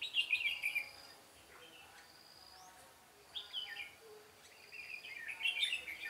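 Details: Red-whiskered bulbul song recorded while trapping on 13 March 2017: loud, tumbling warbled phrases open and close the passage, with a quiet gap between them. A thin, steady insect whine runs underneath.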